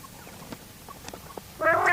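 Quail giving a loud, harsh, harmonic call that bursts in near the end after a quiet stretch of faint clicks and rustles.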